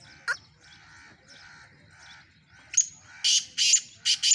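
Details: Black francolin recorded in Sindh, Pakistan, giving a burst of loud, rasping, buzzy notes in the second half, about four grating syllables close together, after quieter chirping from other birds and a faint low hum.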